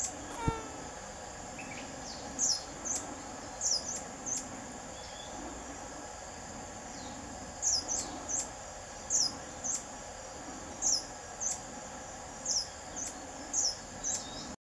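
A buff-bellied hermit repeats thin, high, squeaky chips, singly or in pairs about every half second to a second, over a steady insect drone.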